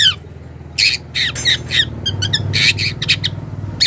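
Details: Long-tailed shrike, a young wild bird, calling to a rival with loud grating squawks in irregular bursts over a low droning hum in the background.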